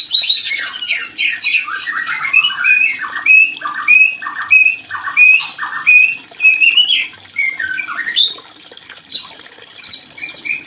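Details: Breeding-lure song of a white-rumped shama, meant to bring on mating: a run of short repeated downslurred notes, roughly one and a half per second, then clear rising whistles and chattering phrases.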